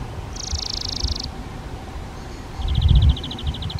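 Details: At a Spotted flycatcher nest in a half-open box on a garden shed, parents feeding nestlings insects; one high buzzy burst, a pause, then a rapid pulsed rattle of about fifteen ticks, with a low thump beneath.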